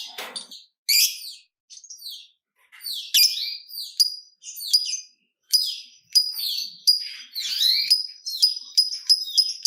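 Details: Chattering lovebird song in the ngetik style, used to draw other lovebirds into long ngekek singing: clean, sharp, high ticking notes and shrill squeaky bursts, growing denser and faster toward the end, in a quiet setting.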